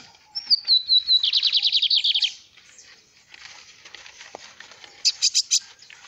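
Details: Tame bigodinho (lined seedeater) singing while perched on a person's hand: a high thin whistle sliding down into a fast run of repeated buzzy notes, then a pause and a short burst of a few loud trilled notes.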